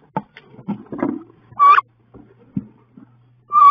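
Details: Two female wood ducks fight fiercely inside a nest box on 16 May; short loud squealing notes with a flat then rising tone stand out at intervals over soft scuffling, bumps and low knocks from the struggle in the box.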